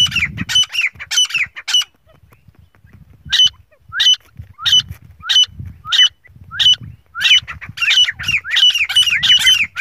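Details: Black francolin male calling for a female: loud scratchy notes with downward-curving slurs, given in spaced bursts after a quiet gap, becoming quicker and crowded at the close, over a soft low rumble in the background.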